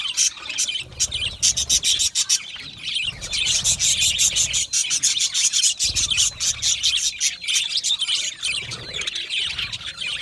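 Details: Budgerigars in a comfortable colony setting; loud overlapping chatter of high chirps, whistles and rapid rattling clicks, many birds calling at once with brief dips in volume.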